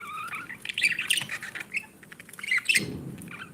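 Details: Budgerigars, a breeding pair kept with their babies, chatter in quick warbling chirps and squawky bursts, with a short scraping rustle near the end.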